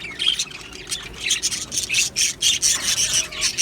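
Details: Aviary budgerigars, Australian parrots, giving rapid harsh squawking chirps about twice a second, scratchy and high-pitched, several birds overlapping.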